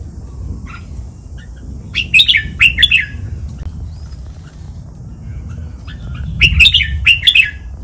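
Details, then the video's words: Red-whiskered bulbul kept in a cage, used as a model song in the Pa La-u style for birds to learn. Two short bursts of clear, bubbly whistled notes come about four seconds apart, with quiet rumbling noise between them. "นกกรงหัวจุก | รวมเสียงร้องเบิ้ล 23 นับดอก แม่บท ลากหวาย เพลงป่าละอู คมชัด 100% ไว้ก็อปนก"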